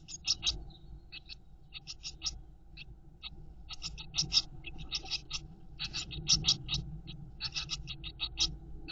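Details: Mother blue tit feeding chicks in a nest box; the young give continuous rapid, hissing, high-pitched begging chirps in clustered flurries that intensify after four seconds, over a faint low rumble.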